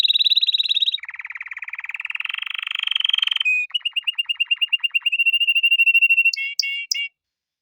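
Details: Male canary singing in distinct rapid trill sections: a dense buzzy trill, then a fast rolling trill, a pulsed repeated series, a steady high whistle, ending with three sharp upswept chirps; quiet background.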